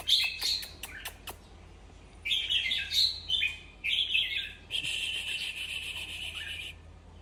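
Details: Red-whiskered bulbul singing to excite other bulbuls: sharp clicks, then bright, bubbly warbled phrases in quick bursts with a longer buzzy stretch, over a low hum.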